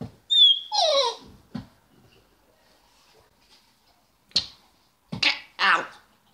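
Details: Pet African grey parrot indoors in a living room, telling the household dog to get out: a pure rising whistle, then a falling voice-like note, and later several short harsh voiced bursts in quick succession.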